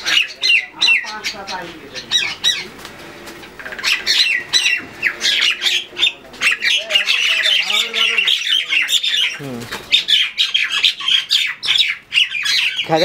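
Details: Common mynas in a noisy fight in Bangladesh keep up harsh squawking bursts and grating chatter over thirteen seconds. A softer lull with some lower warbled notes comes midway, then the squawking resumes loudly.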